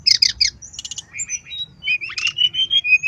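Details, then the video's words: Brown-chested jungle flycatcher song used as a lure: hoarse chattering notes, a buzzy burst, then a string of short level whistles over a faint low rumble. "SUARA SRDC GACOR PANCINGAN SRDC BIAR BUNYI"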